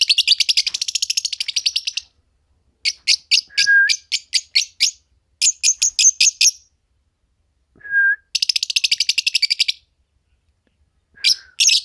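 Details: Green Fischer's lovebirds in a pair, pouring out long rapid trills of shrill chirps in bursts, broken by short steady whistled tones at a lower pitch.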